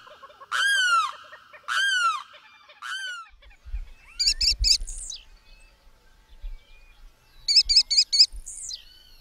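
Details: An American Kestrel in Brazil gives two quick bursts of four or five shrill, high 'klee-klee-klee' notes, after three harmonic, down-slurred calls from another bird and some low thumps.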